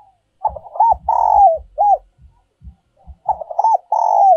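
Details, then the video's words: Spotted dove decoy song in the style known as giọng còi or giọng kim: a mellow rising-falling coo phrase, a long loud sustained note, then a short coo, repeated twice, over low soft thumping. "cu gay moi chuan mp3/ Giọng còi chuẩn nhất 2022"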